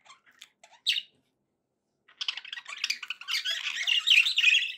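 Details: Budgerigar chatter starting with a few scattered chirps and one loud squawk, then after a silence building into a dense, continuous, scratchy warble that grows louder toward the end.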